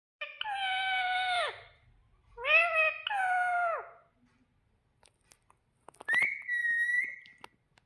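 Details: Pet ring-necked parrot that talks, saying mummy and papa indoors: drawn-out harmonic voice-like phrases that fall at their ends, then a steady squeaky flat tone, with a person repeating 'mithu' nearby.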